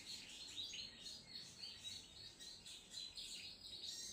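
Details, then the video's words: Sunbird singing in a lively, vigorous manner: a fast stream of thin, high chirps and short twittering notes that overlap continuously over a soft background hiss. "sogon trotol gacor"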